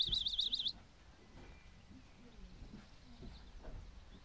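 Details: A Chipping Sparrow, in spring, gives a quick, high, even trill of rapid whistled notes for under a second; soft low thumps follow.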